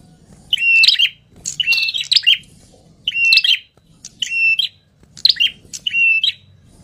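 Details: Agitated, noisy ashy tailorbird giving bursts of harsh, high chattering notes, about six short volleys in seven seconds with brief pauses between.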